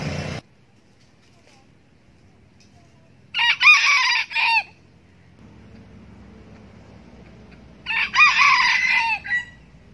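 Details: Decoy red junglefowl rooster crowing to lure wild roosters. Two separate short, harsh crows about four and a half seconds apart, each ending abruptly, over a faint low rumble.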